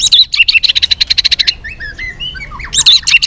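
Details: White-rumped shama in a multi-voiced fighting song. A rapid run of high, evenly spaced chips gives way to soft slurred whistles. The bird then ends in another burst of bright, high notes.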